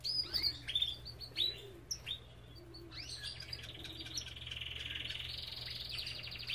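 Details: Belgian canary in an aviary opens with sharp chirps and whistles, then a long sustained rolling trill that continues to the end, over a low background hum.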